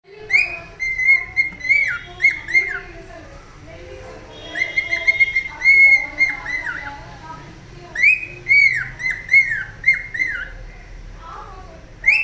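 A cockatiel gives bursts of clear, warbling whistles around the same pitch, each dropping at the end.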